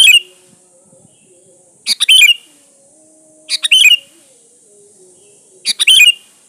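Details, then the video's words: Sooty-headed bulbul song meant to provoke rivals into calling: brisk chirpy phrases of a couple of sharp notes then a bubbly flourish, four times within six seconds, separated by quiet gaps with steady background hiss. "SUARA BURUNG KUTILANG GACOR SATU INI AMPUH BUAT SUARA PANCINGAN"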